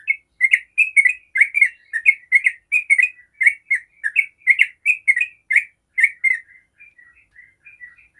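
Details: Yellow-vented bulbul pouring out a long, fast run of bubbly, chattering notes for about six seconds, then softer scattered chips trailing off; this long rapid song is played as a lure to make other bulbuls answer and start singing.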